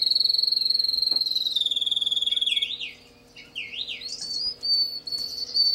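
A canary sings a long, fast trill of high notes, then shifts into looping, warbled phrases and bright whistles.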